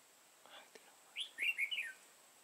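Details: Red-whiskered bulbul, lân-crested with a dark bib, recorded while being trapped on 31 March 2018. Soft faint notes come first, then a single clear, rich, warbled phrase of quick rising and falling whistles lasting under a second.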